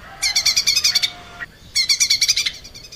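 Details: Cucak ijo mini (lesser green leafbird) singing vigorously for cage-bird training: two dense bursts of very fast, high, rattling trilled notes about a second apart, with a faint low whistle beneath the first.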